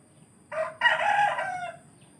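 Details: Rooster crowing in a village: a short rough opening note, a brief break, then a long harsh, richly layered crow that holds level before fading out, over faint steady background hum.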